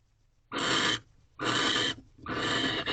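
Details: At dawn in a nest box in March 2023, a male barn owl courts a female with a fresh rodent; three long rasping hisses, each about half a second, with a faint background hum.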